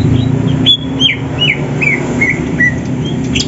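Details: Greater green leafbirds from Banyuwangi and Sumatra, kept birds in morning training for a songbird contest, singing to seek a rival: a run of clear slurred whistles, each dipping or rising, about two per second, over a steady low engine-like hum.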